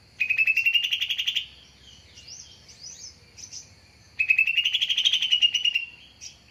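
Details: Greater green leafbird lure sound used to attract birds: two loud buzzy, rattling phrases, each rising then levelling off at a high pitch, about a second long, with a faint steady high tone and soft chirps between.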